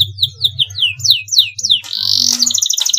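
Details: Canary song played as short phrases to stimulate a stressed canary: a run of clear descending whistled notes, about five per second, then a harsh buzzy burst and quick trill, over a low steady hum.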